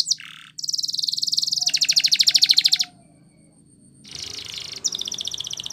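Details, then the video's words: Singing Spanish Timbrado canary: a short buzz, then a long, loud, rapid rattling trill that swells and stops, a quiet gap, and softer buzzy rolls resuming at the end. "Canary Singing CHAMPION For Training | Spanish Timbrado Song"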